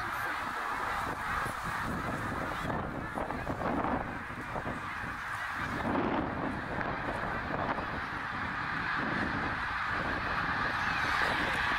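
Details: Large flock of snow geese, tens of thousands strong, on migration at Middle Creek, Pennsylvania, in 2023, flying overhead like a tornado; a dense, continuous chorus of overlapping honking calls with no pauses, rising slightly toward the end.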